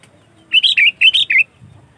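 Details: A sooty-headed bulbul (Pycnonotus aurigaster) gives a quick, bubbly song phrase of six rich, slurred whistled notes in under a second, then falls silent.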